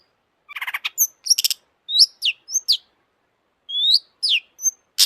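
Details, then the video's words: Long-tailed shrike in full excited song: rattling scratchy notes open, followed by sweeping whistled slurs and short high squeaks, one long rising whistle after a pause, then a final harsh burst. "kicau burung cendet gacor FULL EMOSI"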